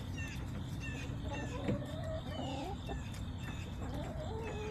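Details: Backyard chickens on September 20, 2024, giving wavering mid-pitched clucks and warbling notes, partly masked by steady low rumble and a constant high-pitched hum.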